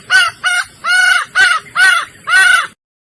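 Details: A female red junglefowl from Sumatra in heat calls males with six loud, nasal, harmonic notes, some short, some drawn out, in an uneven rhythm, then silence.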